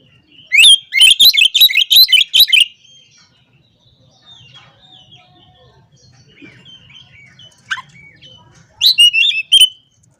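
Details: Oriental magpie-robin in energetic song meant to call out opponents and rile rival birds: a loud, rapid run of high whistled and chattering notes, then soft twittering, then another sharp, bright burst.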